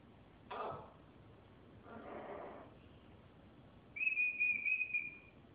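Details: Military macaw described as talking, giving two short harsh speech-like bursts, then a clear sustained whistled note with slight wavering near the end, over a quiet hissy background.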